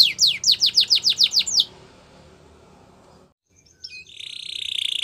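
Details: A Gloster canary gives a series of about nine sharp descending whistles. After a short silence comes a sustained, buzzy, trilled roll.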